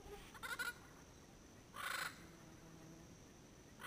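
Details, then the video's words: Wild pair of endangered Yellow-headed Amazons calling noisily from Caribbean pines at sunset, Payne's Creek National Park, Toledo District, Belize, late January 2012, GoPro at about 100 yards; two harsh, raspy squawks roughly 1.3 seconds apart over a faint steady hum. "Parrots talking in the pines"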